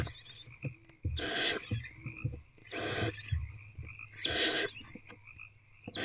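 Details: Owls in box C during the night as an older owlet gulps down large prey; three loud, rough hissing screeches about one and a half seconds apart over a steady high electronic whine and faint scuffling.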